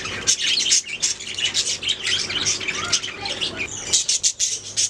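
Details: Budgies warbling and chirping nonstop, high scratchy chatter mixed with sharp clicks and a few whistled notes, a constant low hum beneath.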